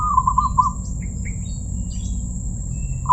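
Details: Zebra dove with a voice described as "crystal": a quick run of staccato, evenly pitched cooing notes opens, silence follows, then a fresh note starts at the very end, over faint chirps of other birds and a steady low rumble.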